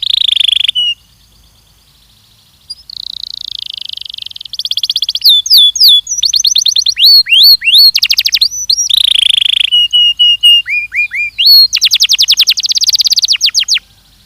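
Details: Belgian canary training song: a buzzy tour, a pause, a lower buzzy tour, then hooked whistles, swooping notes and rapid trills in quick alternation.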